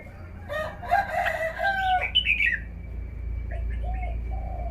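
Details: Caged red-whiskered bulbul showing off its song phrasing: a burst of bright, warbled whistles over about two seconds, followed by softer, low, arching notes, with a steady electrical hum and background rumble throughout.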